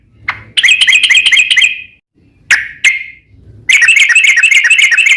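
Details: Short stretch of Sooty-headed bulbul ropel panjang trilling used to lure other bulbuls: a single note, a one-second buzzy chatter, two sharp separate calls, then another dense rapid burst.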